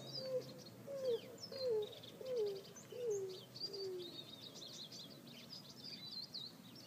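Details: Greater roadrunner living on a house roof in California, giving a slow series of six low, cooing notes about 0.7 seconds apart. Each note slurs downward, and the series steps lower and fades. Thin, high chirps from other birds continue behind.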